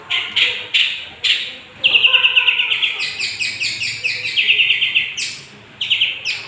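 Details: Lively singing young long-tailed shrike used to provoke other birds: a varied chattering song of scratchy bursts mixed with fast trilled and clearer whistled passages, shifting constantly in pitch and rhythm.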